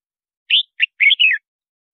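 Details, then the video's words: Red-whiskered bulbul song, used to call wild birds and train singing: a single crisp phrase of four bright notes, the last a falling, slurred whistle, clear against silence. "Tiếng Chào Mào Hót Gọi Bổi Mới Nhất"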